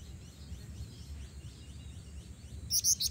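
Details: Female black-winged flycatcher-shrike calling to males: faint, high, thin chirps, then a loud burst of sharp, squeaky notes near the end, over a low background rumble.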